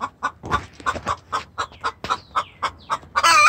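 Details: Hen giving a distress call to the rooster, extremely vocal: a rapid run of loud, short clucks about every quarter second, ending in a harsh, noisy squawk with faint whistled tones.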